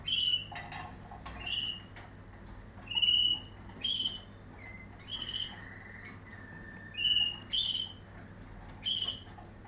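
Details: Waterslager canary, 2020 line: short bright whistled notes repeat roughly every one to one-and-a-half seconds, with brief lower gliding tones in between.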